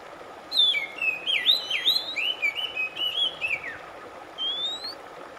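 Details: Oriental magpie-robin song, meant to relieve stressed birds that have gone silent: a long varied phrase of swooping, warbling whistles that ends in a falling slur, then a lone rising whistle after a pause.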